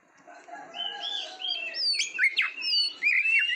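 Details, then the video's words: Oriental magpie-robin song recorded to train competition birds in Indonesia: clear whistled notes and slurred phrases around mid-high pitch, some sharp downward sweeps, with a softer lower warbling line beneath early on. "SUARA KICAUAN BURUNG KACER TERBAIK, PART 68 - MASTERAN KACER - KACER GACOR - PANCINGAN KACER"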